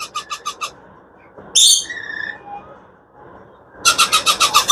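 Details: Parakeet chicks at the Monday bird and pigeon market of Mirpur 11, Lalmatia, on 29 April 2024: bursts of harsh rasping calls repeated about five times a second, with a single squawk and a short whistle between the bursts.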